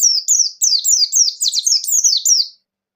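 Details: Bustomi white-eye in full, wild-style 'ngalas nembak' song, used as a lure to get other white-eyes singing: a nonstop run of high, sharply falling chirped notes, about four per second, ending abruptly.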